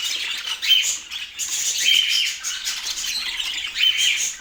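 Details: Pet budgerigar in Portland chattering in dense, bright, high chirps and squawky twitters, with quick clusters and short pauses and a few thin whistled notes standing out; no other clear sounds.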